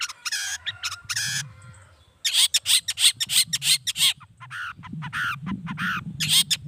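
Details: Long-tailed shrike giving loud harsh calls as a lure to provoke other shrikes; grating, rasping notes repeated about three times a second in rough runs, over a low background rumble.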